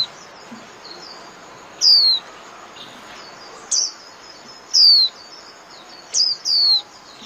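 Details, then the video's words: Japanese white-eye recording in the 'líu' style for caged birds: short, shrill descending whistles, sometimes doubled, spaced about a second apart over steady low hiss. "TIẾNG CHIM KHUYÊN LÍU CỰC CHẤT"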